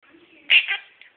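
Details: Male pet Quaker parrot aged one and a half saying peekaboo: one short, raspy, high-pitched burst with a quick trailing syllable, quiet background.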